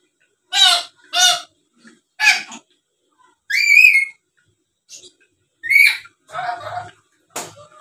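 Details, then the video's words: Black-capped lory calling as a lure so that rival birds answer at once: short, harsh squawks alternating with a long, clear rising whistle and a rough, rattling note, spaced over eight seconds. "Suara Asli Burung Nuri Paltem Gacor Pintar Ngomong dan Ngoceh² Buat Pancingan"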